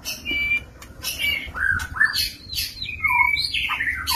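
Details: Caged male white-rumped shama courting a female in a stacked breeding enclosure; the song mixes clear whistles, downward-slurred notes and rasping bursts delivered in rapid succession.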